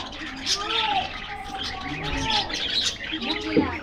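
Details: Cheerful budgerigars in an aviary during a morning treat give clear high chirps and sliding whistled notes over soft busy chatter. A brief, low cooing sound comes near the middle.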